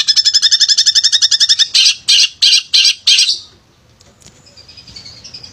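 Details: A male long-tailed shrike in full song, used to provoke lazy shrikes into singing: a fast run of rattling harmonic notes, then five harsh buzzy bursts, fading into soft high twitters.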